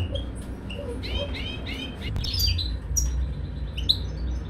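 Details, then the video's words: Caged European goldfinch during mating, giving a softer run of short high chirps and slurred twitters, some clustered and some spaced, with a constant low background rumble. "Goldfinch mating in the cage"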